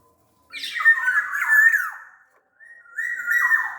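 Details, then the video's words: Black-naped oriole of the large-bodied Sumbawa form: a rich, partly harsh warbled phrase around a steady whistled line that drops at its close, a short gap, then level fluty whistles ending in a downward slur. "SUARA KEPODANG GACOR"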